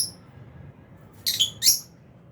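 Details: Aviary lovebirds, albino and Fisher's: a brief faint chirp, then two loud harsh chattering squawks in quick succession.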